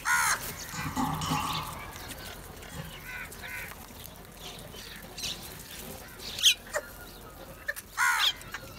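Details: Crows gathered at food give a harsh caw at the start, then a murmured, noisy middle, and two more loud rasping caws late on, about a second and a half apart.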